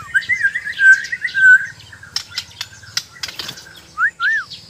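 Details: White-rumped shama, Borneo type, in mental training, gives a run of slurred whistles, then dry clicking ticks, and ends with two arched whistled notes; a low hum persists underneath.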